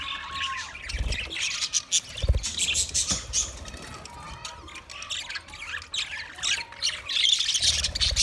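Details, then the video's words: Twenty budgerigar pairs chattering together, a steady stream of high scratchy chirps and short whistled notes, with a couple of low knocks and possible wing flutters. "20 Budgie pairs chirping sounds | Beautiful parrot singing"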